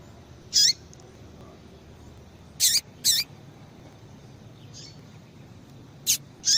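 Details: Female yellow-bellied seedeater giving frequent calls to spur males to sing. Six high, clipped chips, some in quick pairs, with a soft distant note between, above a low steady hiss.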